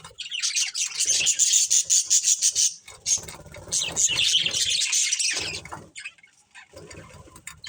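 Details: Pet budgerigar breeding pair chirping steadily: dense high warbling chatter with rapid repeated notes for about six seconds, then a quieter pause and some fainter chirps.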